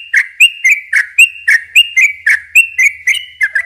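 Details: Yellow-vented bulbul lure song for young birds: a regular series of loud, bright notes with sharp high ticks, about four per second, ending with a faint low whistle.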